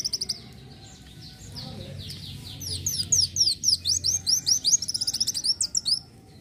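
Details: Van Hasselt's sunbird in varied song: after a soft, murmuring start, a rapid series of piercing, high, upslurred chirps builds into a dense twittering run before fading.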